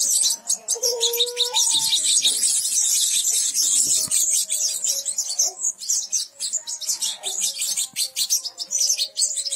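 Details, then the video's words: European goldfinch chicks begging: a dense, continuous chorus of thin, very high-pitched chirps and squeaks in rapid, irregular succession, with a few lower, short whistled notes near the start. "pollos de jilguero"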